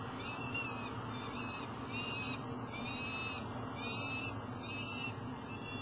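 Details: Juvenile Peregrine falcon approaching a nest box at Elk River, Minnesota, in July, giving a run of fainter, rasping wails every second or so over a heavy background roar.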